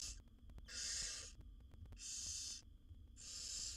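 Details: Owlets of wild barn owls, seven in a nest box, beg while being fed by their mother; drawn-out harsh hisses near three-quarters of a second long, repeated with brief gaps, plus faint clicks and hum.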